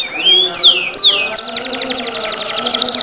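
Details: Black-red canary singing vigorously: a few loud descending whistled slurs, then a fast, even, high-pitched trill of rapidly repeated notes that runs to the end. Faint low background hum.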